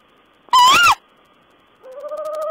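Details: An owl on 14 April 2010 gives a single brief, raspy screech with a wavering squeal, followed after a pause by the start of a steady humming, slightly pulsed tone.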